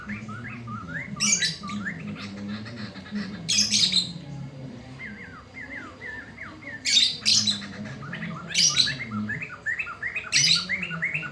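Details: Black-throated laughingthrush singing loudly at midday, used as a tutor recording for young birds: harsh, loud rasping bursts about every three seconds, with runs of short rising whistled notes between them over a low steady hum.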